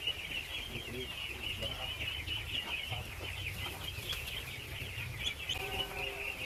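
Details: Feeding ducklings in great numbers give a dense, quivering chorus of high peeps, with a few lower harmonic calls appearing near the end and quiet background rumble.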